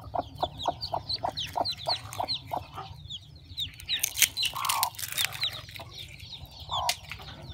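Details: Hen and chicks at a farm during hatching, with a steady series of short clucks, high thin chick peeps scattered overhead, and a few sharp noises and a brief louder squawk midway.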